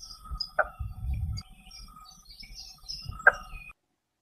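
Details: Blue-bearded bee-eater in Western Ghats hill forest giving two harsh, rasping notes about three seconds apart, likened to chopping trees, over low rumbling and faint high chirps from other birds.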